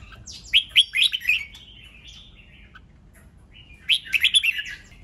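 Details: Red-whiskered bulbul 'ché nẹt' song for provoking competition: a rapid string of bright rising warbled notes, a drawn-out lower trailing tone, near silence, then a second cluster of quick, rich chirps.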